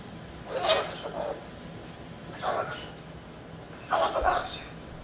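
A cockatoo fusses in three short, raspy, grumbling bursts about a second and a half apart, indoors with a faint low hum underneath.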